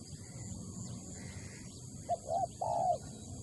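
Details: Spotted dove calling: three short, low, hollow coos in quick succession, the last one longest and strongest, over a steady low background rumble.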